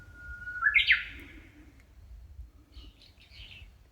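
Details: Bird song from a shaded park path in Nishinokubo Park, Hondo, Amakusa, Kumamoto, Japan: a level whistle sweeps up into a bright trilled flourish, followed by softer, higher chirping notes in the distance.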